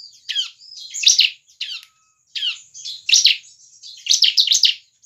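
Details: Bar-winged prinia singing vigorously, used to provoke other prinias into song: sharp descending chips and rasping bursts, some doubled or tripled, separated by short gaps, with a faint steady high whine behind.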